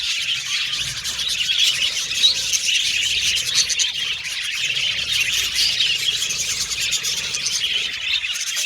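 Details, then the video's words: Colorful pet budgerigars singing and chattering together: rapid high tweets, warbled whistles and a few harsher squawks blend into a constant, lively group sound. "Australian Budgies Birds Singing & Chirping Sound"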